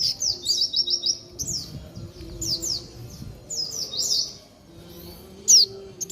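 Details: Horsfield's babbler, known locally as sogon, singing energetically: loud, clear whistled notes sliding downward, given in quick runs and short phrases with pauses, and one sharp high note near the end; faint low background hum.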